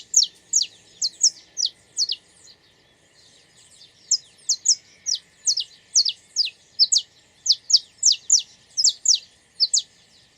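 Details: Saffron finch singing in the wild: a long series of high, sharp, downslurred chirps, about two per second, with a short pause near the third second before the chirping resumes over a quiet background.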